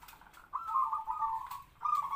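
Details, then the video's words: Captive-bred local zebra dove kept as a decoy to lure wild doves, medium-pitched and already singing kwor kwor; one brief cooing phrase with a purring, trilled middle, then a short note starting again. "perkutut pikat suara sedang kwor2"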